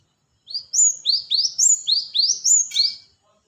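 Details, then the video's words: A rapid string of about ten piercing, high upslurred notes from a cinereous tit, given as a lure, running without pause for over two seconds in a clean, quiet setting. "Pancingan Suara pikat Burung gelatik batu"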